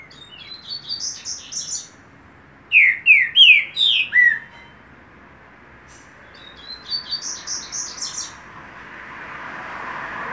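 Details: Trinca-ferro (green-winged saltator) with paulada-style song: a fast run of four or five loud, falling whistled notes in the middle, set between softer, high twittering phrases, with faint traffic-like noise rising at the end.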